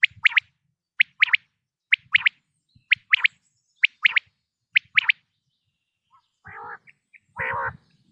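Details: Common quail giving its autumn call, a sharp, liquid three-note phrase about once a second, six times in a row, followed by two short, harsher rasping sounds.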